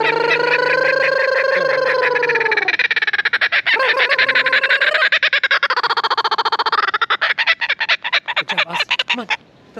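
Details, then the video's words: Kookaburra laughing at Croc World: opens with drawn-out, harmonic rising hoots, then breaks into fast, rolling cackles that quicken and turn into sharp staccato chuckles, trailing off near the end. "Kookaburra LAUGHING!"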